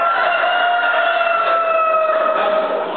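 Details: An Utrerana chicken at the V Spanish Poultry Championship gives a long, loud, steady crow held for about three seconds, drooping slightly in pitch toward the end, with a hum of hall noise behind.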